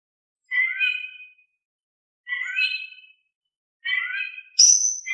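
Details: Oriental magpie-robin in lively, calm-toned song used to provoke reluctant magpie-robins: three separate harmonic, slightly nasal mewing phrases spaced about one and a half seconds apart, ending in a sharp high note.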